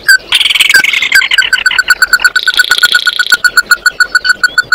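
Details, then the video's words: Oriental white-eye singing to call its flock: a long run of clear, evenly spaced mid-pitched notes, several each second, over a higher, dense buzzy twitter that fades halfway through. "Tiếng kêu của chim Tí Hỉ, Chim Mắt Đỏ hót gọi bầy"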